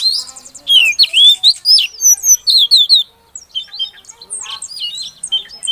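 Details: Oriental magpie-robin female calling to get a quiet male singing, a loud series of rich, downslurred whistles repeated for about three seconds, then softer high twittering notes.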